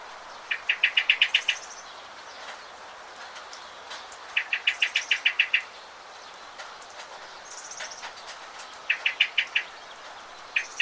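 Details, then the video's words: Bird song outdoors: bursts of about eight quick, evenly spaced bright notes, repeated every few seconds over a steady hiss of background noise. "How wonderful is the sound of birds"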